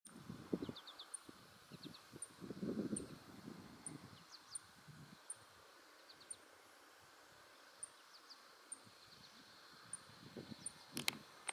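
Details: Savannah sparrow calling in Kalamazoo, Michigan, on July 12, 2018: thin, very high tick notes about one a second with a few fainter chips, over rustling and low wind noise.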